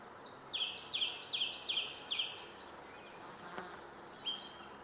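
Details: Song thrush singing: one short whistled phrase repeated five times in quick succession, each note rising, then a pause and a few further higher notes, with background hiss.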